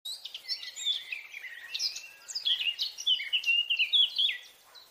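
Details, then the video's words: Eurasian blackcap (Sylvia atricapilla) in song: a quiet, hurried warble of varied scratchy and fluty notes that grows louder and clearer into bright whistled phrases toward the end, over a calm background. "Beautiful Eurasian Blackcap Bird Song - Sylvia atricapilla"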